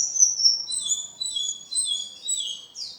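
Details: Oriental white-eye singing a fast, varied run of high thin whistles, long sliding notes blending into quick chattering twitters, loud and clear against a quiet background.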